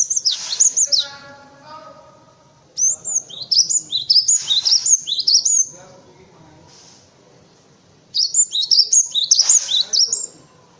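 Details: Cinereous tit singing as a master recording for other birds: two runs of fast, high, stepped chirps, with a lower harmonic whistle early on and a soft, faint hum underneath.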